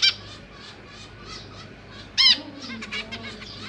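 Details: Captive zebra finches, parents and six young of two broods, filmed 25 January 2023 on a GoPro during feeding time; one loud, nasal harmonic honk stands out midway, with faint high chirps and low hum around it.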